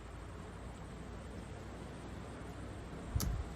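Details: Quiet indoor hiss with a single sharp click near the end, and no animal sounds.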